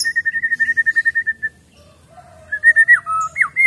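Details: A white-rumped shama, caught from the wild, delivers a fast run of repeated clear whistles, pauses, then gives loud rising and falling slurred whistles.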